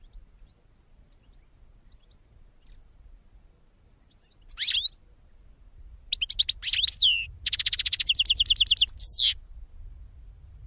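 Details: European goldfinch song starting with a lone high slurred note, then twittering bursts building into a long, rapid run of repeated ringing notes ending on a drawn-out slur; faint low rumble beneath.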